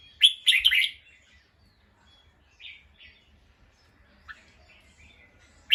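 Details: Bulbul on alert after hearing a sound: one loud rasping chatter burst at the start, then faint, widely spaced chirps and a final sharp note.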